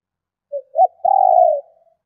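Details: Cooing female spotted dove, used to stimulate males: two brief low notes followed by a long, smooth, sustained coo, with a faint click and no other sounds.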